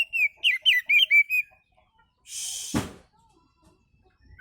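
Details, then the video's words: Oriental magpie-robin giving a relaxed song used to lure other birds: six clear, slurred whistled notes in a quick, even series over about one and a half seconds, then a short hiss, a dull thump, and one faint rising whistle at the end. "kicau Kacer santai ampuh buat pancingan"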